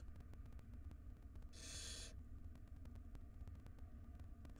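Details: Wild barn owl nestlings in a monitored nest box, one swallowing a huge rodent while the mother feeds its siblings; a single faint, half-second breathy hiss stands out over a low steady hum.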